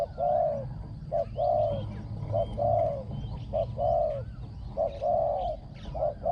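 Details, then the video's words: Spotted dove cooing as a decoy to lure wild doves, voice small and ringing; a regular pattern of one clipped coo followed by a longer rounded coo, repeated about every second, with faint bird whistles above. "ต่อนกเขาใหญ่ | เสียงเล็กก้อง คารม หนุนคู คูดีมาก"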